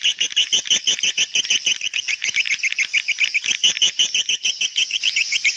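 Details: Swiftlet call used to call young swiftlets: rapid, evenly pulsed high chirps, about three every second, bright and twittering, continuing without pause throughout.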